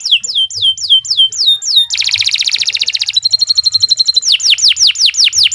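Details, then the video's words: A canary sings a long, steady song meant for training other birds: looping downslurred chirps, then a dense buzzy trill, a rapid pulsed roll, and more sweeping notes. "Kicau Burung Kenari II GACOR PANJANG Cocok untuk Masteran"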